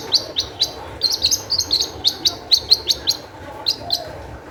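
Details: Long-tailed shrike song intended as a lure to make other shrikes sing, a fast run of sharp high chip notes repeated several times a second, with brief pauses between runs.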